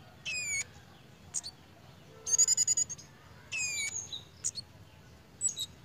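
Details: Pied fantail in breeding condition, lively in behaviour: falling slurred whistles, a fast rattling run of high chips, and scattered thin squeaks.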